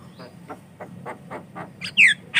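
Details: Javan myna song meant to draw in and train other mynas: soft, evenly spaced rasping notes building to a loud, sharp downslurred whistle and a final harsh chirp.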